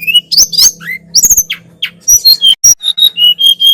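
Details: Sunda robin song for training cage birds: a few rising and falling slurred whistles, then a run of short even whistled notes, over a faint low electrical hum.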